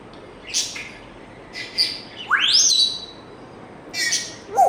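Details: Pet African grey parrot making scattered short clicks and chirps, then a loud whistle sweeping steeply upward before breaking into bright high notes, with a low whistled note at the end.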